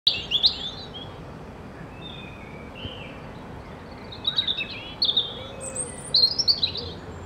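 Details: A territorial European robin sings among red leaves from a favoured branch, giving thin, high, liquid warbled phrases of a second or two separated by short pauses; other robins sing in the background over a low hiss.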